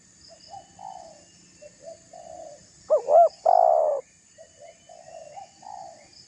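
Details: Single loud spotted dove phrase, two hooked notes and a long rough coo, surrounded by softer coos from other doves, part of a call meant to provoke rivals.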